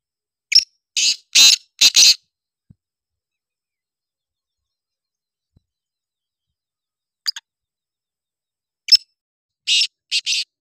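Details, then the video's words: Black francolin calling: a quick harsh note followed by three loud, grating, noisy bursts, then a lone short note, a sharp click and two more rasping bursts after quiet pauses, on an otherwise silent background. "kala teetar ki boli | kala teetar awz"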